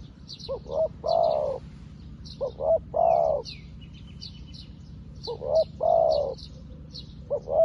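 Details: Decoy spotted dove, newly used, calling wild doves in. The phrase of two short notes and a long deep coo comes three times, about every two and a half seconds, over thin high bird chirps.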